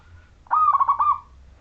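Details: Zebra dove, Majapahit local wild type, singing briskly to prompt other zebra doves to join in: one loud, clear phrase of five quick bubbling coo notes, lasting about two-thirds of a second.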